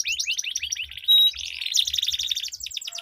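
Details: Canaries duelling in long rolling song to coax quiet birds: fast high trills of repeated notes, a short pure steady beep, then another dense buzzy roll.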